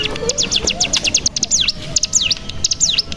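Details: Bar-winged prinia (cigun) decoy used to stir other birds into song: a quick series of high, sharp notes, each sweeping down then back up in a V shape, over a faint murmur.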